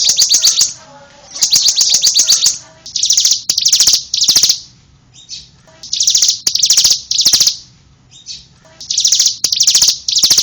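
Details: Bar-winged prinia song: a rapid high chatter at first, then repeated loud buzzy trill bursts of roughly half a second each, spaced irregularly with short pauses and a few soft chips between.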